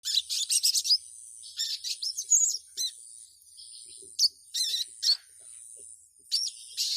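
A female ruby-cheeked sunbird calls to a male in bursts of thin, very high, sharp chirps every second or so, over a faint steady high whine.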